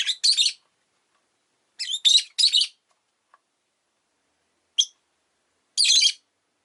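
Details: Rosy-faced lovebird kept as a pet, calm afternoon: harsh, noisy chirps in short bursts, a pair, a triple, a single thin note and a final burst, spaced by silent stretches.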